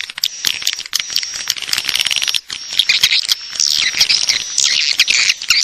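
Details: Swiftlet lure call meant to attract swiftlets to stay and roost: a steady thin high whistle runs beneath rapid, crowded chirps and twitters, loud and unbroken.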